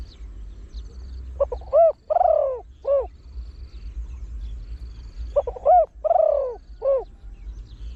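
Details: Trained Spotted Dove with a deep voice calling fast in the 'khan yon 1 kuk' style so that wild birds join. Two low, mellow phrases about four seconds apart, each made of clipped notes, an arched coo, a long falling coo and a short coo.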